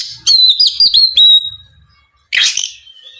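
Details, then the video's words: Short phrase from an oriental magpie-robin singing to provoke a rival: a quick run of whistled notes ending in a long sustained tone, then one harsh buzzy burst. "SUARA BURUNG KACER GACOR NGEPLONG MEMANCING KACER LAWAN AGAR LEKAS BUNYI NYAUT & GACOR!"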